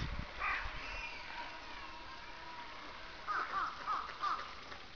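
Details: Aokubi domestic duck, a mallard-like breed, swimming with wild mallards at Asahiyama Park, Iwanuma, Miyagi, Japan, on 10 January 2009: four short nasal quacking notes in quick succession after an earlier call, over faint outdoor background.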